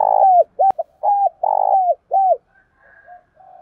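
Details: Spotted dove giving 'gáy thúc' and 'gáy gọi' coos used to provoke and lure doves: a run of loud, low, hollow coo notes, some long and held, others short and downcurved, then soft murmuring coos fading out.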